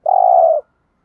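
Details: Spotted dove, a trained lure voice in the thúc gù style meant to provoke wild birds into cooing back: one steady, hollow coo note lasting about half a second, then silence.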